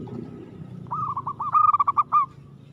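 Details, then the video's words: Aggressive local zebra dove song: a soft rolling lead-in swelling into a loud series of quick stuttering coos, closing on a longer sustained note. "suara perkutut gacor agresif mental baja"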